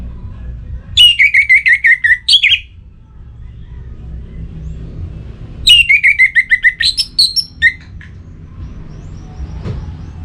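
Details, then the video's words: Kept orange-headed thrush from Singaraja, North Bali, in breeding condition, calls a rival with two bursts of about eight fast falling whistles ending in higher sharp notes, phrases roughly five seconds apart, faint hum behind. "ANIS MERAH Gacor Pancingan Birahi & EMosi Burung || Kicau memanggil lawan"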